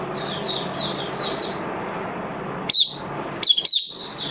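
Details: An Oriental white-eye recorded on 11 September 2022, its form noted as having dipped a little, sings a thin, high twittering run of quick chirps, then sharper high notes after a brief pause, over a faint background hiss.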